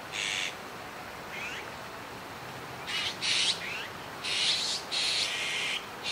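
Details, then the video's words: A young azure-winged magpie at Kiba Park on 17 July 2019 gives grating, noisy screeches in irregular bursts, with soft rising chirps between them and louder rasps clustered toward the end. "オナガの若鳥 Azure-winged Magpie"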